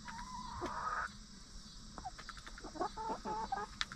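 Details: Hens in a backyard coop settle at night shortly before roosting. A drawn-out, slightly rising whine opens, followed by a quick series of short, clipped clucking notes, while crickets trill steadily in the background.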